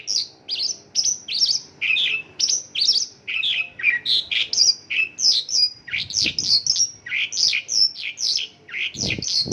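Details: Mongolian lark pouring out its isian lokalan song of local bird phrases: a steady stream of high, sweeping chirps, about two per second, growing denser and more jumbled toward the end, with a soft low thump near the close.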